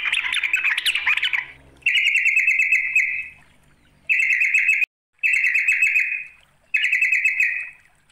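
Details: Calling a rival, a sooty-headed bulbul opens with a scratchy jumble of notes, then gives four buzzy trilled bursts, each about a second long with silences between.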